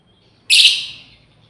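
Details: Single loud, raspy chirp from a female lovebird calling to its companions, a harsh burst that sets in sharply and fades over about half a second, followed by quiet.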